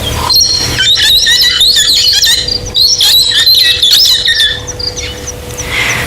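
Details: Brown-headed parrot call played for comparison with the Cape parrot: shrill, screechy and higher pitched, jumping rapidly between tones at several notes a second in busy bursts, over a faint steady hum.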